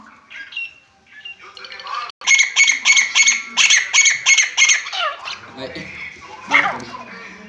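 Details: Grey francolin, a desi titar, calling: after softer murmuring and a brief gap, loud harsh broadband bursts repeat about three times a second for roughly three seconds, then trail into fainter scattered notes.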